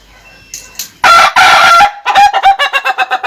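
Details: Ayam Ketawa, the laughing chicken, crowing: a loud drawn-out opening note, then a rapid chain of short staccato pulses like laughter, about four per second.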